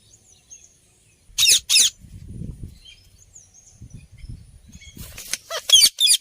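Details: Indian ringneck parakeet making loud, shrill, grating screeches in bursts: two together early on, then a quick run of four near the end, with faint soft chirps and low rustling between.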